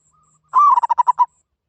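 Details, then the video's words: Zebra dove call: one drawn-out cooing note that slides slightly downward, followed at once by five quick, evenly spaced cooing pulses, in near silence. "Suara Burung Merbok Katok Banir"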